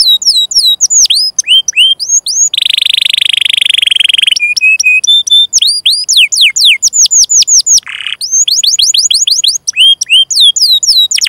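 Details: Long continuous canary song meant for tutoring young or silent canaries: bursts of quick falling whistles, a sustained buzzy trill, short flat notes, then a low harsh burst before more rapid sweeping phrases.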